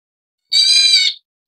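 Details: A leucistic Black Bulbul (Taiwan subspecies Hypsipetes leucocephalus nigerrimus) gives one harsh, nasal, cat-like mew lasting under a second, rich and buzzy in tone. No other sounds are heard.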